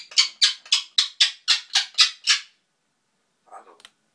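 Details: Pet grey parrot chattering to itself: a rapid run of nine harsh, raspy squawking notes, evenly spaced about four per second, then a pause and a couple of soft, brief mumbled sounds.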